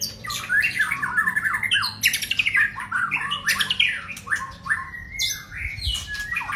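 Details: Male white-rumped shama, a prized songbird, in a varied song of fast whistled and harsh squawky phrases, sweeping notes rising and falling, short bursts separated by brief pauses, with a dull thump near the end.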